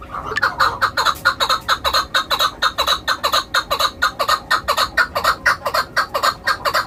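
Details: A shikari chukar starts after a brief pause, then pours out a dense, rhythmic string of harsh clucking notes, slightly accelerating and very regular, about twenty-five notes in under seven seconds.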